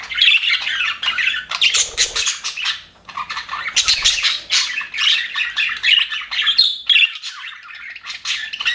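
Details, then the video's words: Happy budgies in an aviary chirping and warbling in lively overlapping bursts, a short quiet pause midway, then the scratchy twittering chatter picks up again. "HAPPY BUDGIES SOUNDS"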